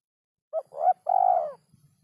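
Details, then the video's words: Spotted dove (derkuku) song in a rhythm said to be very hard to find: a brief coo, a swelling rising note, then a long, trembling, even coo that tails off. "burung derkuku iramanya yg sangat susah di temukan"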